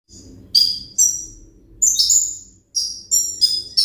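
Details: A sunbird sings short, very high, sharp twittering bursts, about one every half second, over a low steady background hum.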